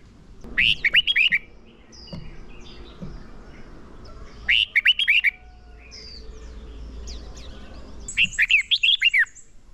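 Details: Fighting song of a decoy red-whiskered bulbul, used to lure birds and train contest singers; three lively warbled phrases about every four seconds, with faint high chirps from other birds in between.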